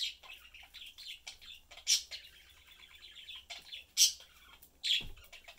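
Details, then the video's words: Caged budgie family, father, mother and young, chatting and eating; dense warbling twitter broken by three loud sharp squeaky chirps. "Sunday cute Budgie/Parakeet family lives, chatting, having fun and eating."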